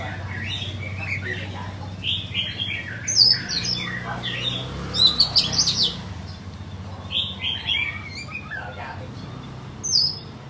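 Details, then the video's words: A white-rumped shama, a bird for sale, sings quick high whistled phrases and twittering notes in bursts over a steady low hum. "Chích choè than bông"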